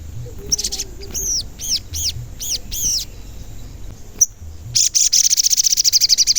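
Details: Sogon, a lively singer whose 'cuit cuit' notes lure other sogon to sing: a series of arched, slurred high whistles about half a second apart, a sharp tick, then a long rapid buzzy trill of high chips.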